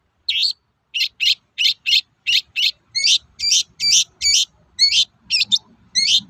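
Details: Long-tailed shrike toet-toet call meant to provoke rival shrikes to sing. Sharp high notes come in pairs, then turn into looping, warbled double notes about every third of a second, with soft clicks and low rustling behind them.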